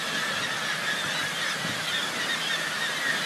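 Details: Black-legged kittiwakes (Rissa tridactyla) of a colony of thousands near Whittier, Alaska, make a dense, unbroken din of nasal calls, many birds overlapping into a steady wash with brief higher cries.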